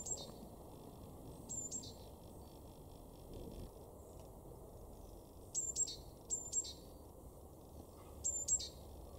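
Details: Great tit in a garden in Weener, East Frisia, northwest Germany, in March 2024, gives thin, very high, short calls in scattered bursts, some doubled, over a steady low rumble of wind or distant traffic.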